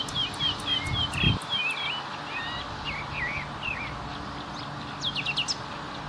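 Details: Common nightingale pouring out a run of rapid varied whistled notes and slurs, then a scattered burst of sharp high notes.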